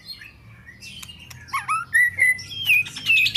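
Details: An Oriental magpie-robin sings a loud sequence of slurred whistles, each note sliding up or down, getting louder and higher toward the end, over a faint low hum.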